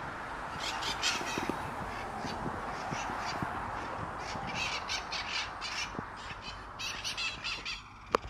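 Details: Feral mitred parakeets calling in Sunnyvale trees, 11/04/2020: a busy chorus of grating, high squawks repeated in quick irregular bursts by several birds, ending with a sharp knock, all over constant broadband rushing noise.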